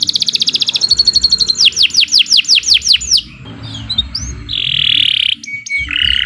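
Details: Canary singing as a lure to get other birds singing: fast high trills, then a row of loud downward-sweeping notes about three per second, then ringing rising whistles and a long buzzy high note.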